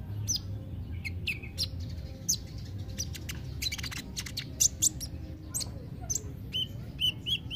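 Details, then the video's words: Kolibri ninja sunbird in rapid, high, twittering chirps and short whistled notes, clustered densely then spacing out toward the end, with a low hum beneath. "Terapi kolibri ninja (konin ) yg males bunyi"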